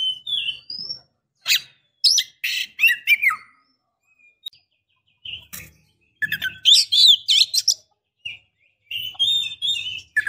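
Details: Female Oriental magpie-robin calling the male. Irregular bursts of harsh chatter and sweeping whistles separated by short silences, with faint low background rumble.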